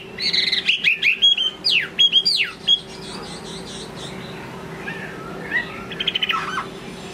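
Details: Chinese hwamei singing in late afternoon: a rapid series of loud, varied whistled notes with steep rising and falling sweeps for about three seconds, then quieter twittering phrases, over a steady low hum.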